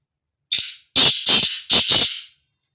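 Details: Male black francolin (kala teetar) giving its breeding call: a short harsh opening note, then two pairs of loud, rasping, grating notes within about two seconds, in near silence.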